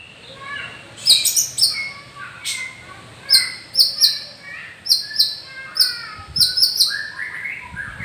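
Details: Captive champion white-rumped shama from a breeding farm in Gondanglegi, Malang, East Java, Indonesia, giving loud sharp whistled notes and varied phrases over a steady background hiss, with faint voices.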